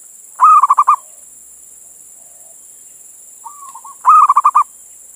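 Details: Male local zebra dove in Indonesia calling to a female as a lure for others: a burst of six rolled coos, a long pause, a gentle lower coo, then another quick six-note cooing burst; faint hiss throughout.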